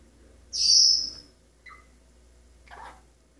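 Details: Male Maximilian's pionus parrot kept as a pet, singing and practising scales: one long loud high-pitched whistle, followed by a short two-note lower whistle and a soft rough chirp.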